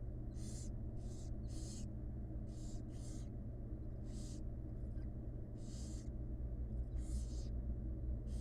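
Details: Barn owl chicks, wild, in a research-monitored nest box, fed by the mother: breathy hissing screeches in clusters, short and noisy, with a brief pause mid-clip, over continuous low hum.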